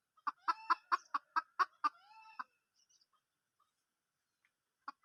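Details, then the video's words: Junglefowl hen in the wild, fairly quiet: a run of eight evenly spaced short clucks, about two per second, trailing into a soft drawn note, then silence and two more clucks at the end. "suab poj qaib qus tsauj zoo"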